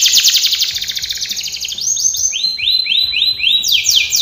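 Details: Canary singing a training song: a very rapid buzzing trill opens, slowing into arched whistled notes repeated about four a second, then faster bright sweeps at a higher pitch.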